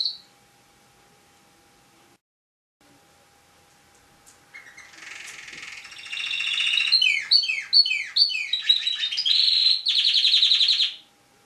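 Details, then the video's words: Tame canary, a national champion songster, starting after near-silence with a soft trill that grows into loud, rapidly repeated swooping notes and a final intense buzzy roll. "Burung Kenari Jinak Suara Gacor Juara Nasional"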